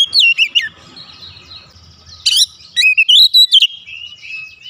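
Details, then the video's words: Agitated Oriental magpie-robin showing off its song fills: a short descending warble, a quiet interval, a harsh squeaky note, then a rising run of bright whistled notes that trails off softly. "PANCINGAN cepat Kacer emosi bongkar isian"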